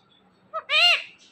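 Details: Five-year-old pet parrot, a talker said to say "Mittu Mittu", giving a short grating call: a brief low note, then a longer harsh harmonic squawk that bends up and down, in a quiet room.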